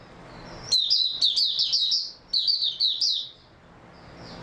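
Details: High, rushing twitter from a white-eye (mata puteh) on 3 March 2022: two linked phrases of quick sweet chirps, together lasting about two and a half seconds, then quiet.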